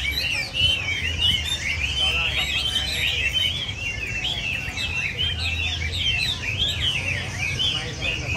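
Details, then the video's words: Chinese hwameis singing as a group, a busy stream of clear whistled notes and twisting warbles layered on one another, steady and loud, with low background hum. "Giàn Mi hót - Mi hót giàn"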